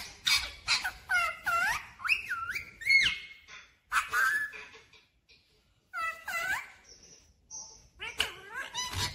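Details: Clear-voiced talking parrot saying 'mummy papa', mixing word-like syllables with sliding whistled notes and a few short high pure whistles, delivered in quick bursts with brief gaps, indoors.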